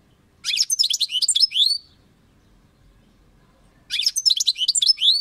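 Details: European goldfinch singing song phrases (nağmeleri): two bright, high twittering bursts of quick chirps and slurred notes, each about a second and a half long, separated by a short silence. A faint low hum runs underneath.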